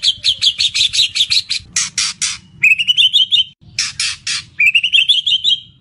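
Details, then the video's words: White-rumped shama song laden with imitations, used as a tutor recording: rapid chattering notes, loud harsh rasping squawks, and bright rising warbled runs that alternate with the rasps. "Full Isian Murai Batu"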